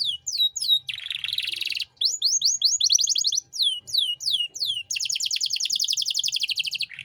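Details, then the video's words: Canary delivering 'cengkok mewah' master song to tutor other songbirds: swooping whistles, a buzzy trill, runs of rapid repeated slurred notes and a long, very fast even trill at the close. "Masteran Kenari Gacor Cengkok Mewah untuk Burung Bahan"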